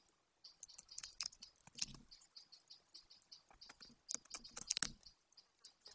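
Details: A young male golden eagle at the nest in Bucovina on 27 July 2021 stands over a partial Eurasian hare his mother brought in and calls. Thin, very high chips come in loose series, with scattered clattering bursts.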